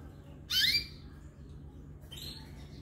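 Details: Canary chicks from the first brood, recorded 29 June 2022: two harsh, noisy squawks, a loud short burst near half a second and a longer, softer rasping one from about two seconds, over a low steady hum.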